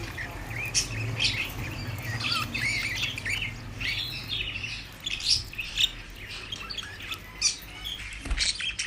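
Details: Budgie flock chattering steadily, rapid scratchy warbles and thin chirps, with a low hum running underneath and the calls thinning to scattered peeps near the end.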